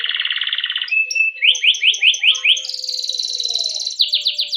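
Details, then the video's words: Canary long rolling song for training: low buzzy trill, a short flat whistle, a run of rising sliding notes, then a high rapid roll and quick downslurs. "Masteran Suara Burung Kenari Ngerol Panjang cuit cuit untuk Pancingan Kenari"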